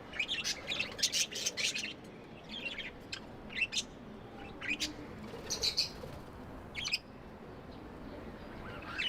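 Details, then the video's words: Pet budgerigars give love chirps: a quick burst of bright, rapid chirping at the start, then spaced single squeaks and short twitters, fading to quiet at the end. "Budgies amazing love & chirping sounds"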